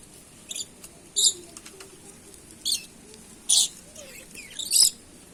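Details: A red-and-black lory utters five brief, harsh, high shrieks, spaced about a second apart, over quiet background noise.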